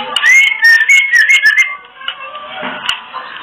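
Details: Female oriental magpie-robin kretekan, used to arouse males into breeding condition: a fast burst of slurred whistles and dense crackling ticks lasting under two seconds, fading into soft background noise.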